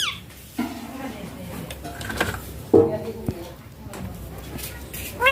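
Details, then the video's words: Pet rose-ringed parakeet (ringneck parrot) talking in short, voice-like phrases such as "papa" and "bye bye", with harmonic syllables broken by a few sharp screechy notes and faint background noise. "baat karne wala ringneck parrot"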